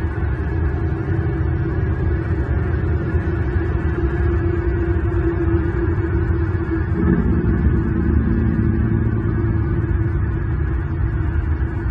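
Continuous loud wind-like rumble with a steady low hum and no animal calls.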